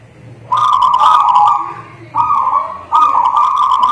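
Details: Actively singing local native zebra dove gives three strong trilled coo phrases at a steady mid pitch, the first longest and the later ones shorter, against a quiet background.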